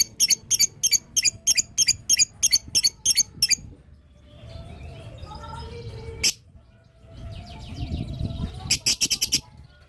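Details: Lovebird in long 'ngetik' chatter, a style meant to set other lovebirds answering: a fast, regular string of about a dozen shrill notes, a murmuring pause with soft chirps, then another quick burst of notes.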